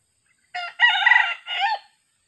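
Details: A young junglefowl kept as a decoy bird, in training after healing from a leopard cat attack, crows once: a clipped first syllable, a drawn-out raspy middle, and a shorter dropping final note, in silence.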